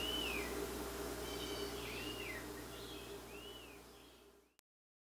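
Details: A female Rose-breasted Grosbeak feeds her chick in Quebec. The chick gives thin, high, arching whistled notes, several per second, begging over a steady low hum.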